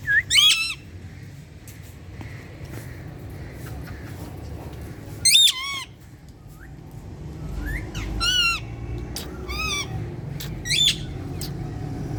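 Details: Green talking parrot uttering short harsh squawks with zigzagging harmonics, in separate bursts about every one to three seconds, with low background rumble between calls.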